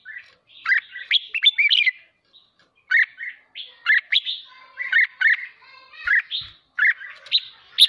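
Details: Caged red-whiskered bulbul singing hard to spur other birds to sing: lively chains of liquid up-and-down whistles, repeated in rapid phrases over several seconds, ending in a sharp high note.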